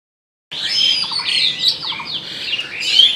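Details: Oriental magpie-robin breeding song: a dense run of varied, sweet whistled notes and quick slurred phrases, some rising and falling, with a few short clicking notes and a bright high whistle near the end.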